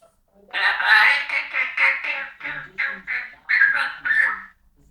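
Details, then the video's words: A pet parrot chatting at length indoors: a continuous run of speech-like syllables in rapid, jumbled bursts, mimicking human conversation. "Fizz the parrot!!!!!! Chatting for a while!!"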